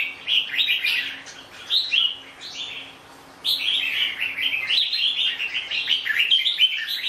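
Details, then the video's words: Red-whiskered bulbul with cheerful, fast-chattering warbled phrases, a brief pause at about three seconds, then a continuous rapid run of liquid notes to the end. "Chào mào bông"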